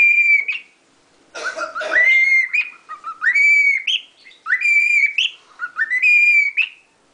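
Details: Pet lutino cockatiel whistling the tune La Cucaracha, with a rough harsh note near the start followed by bright sustained whistles that rise and level off, given in quick repeated phrases.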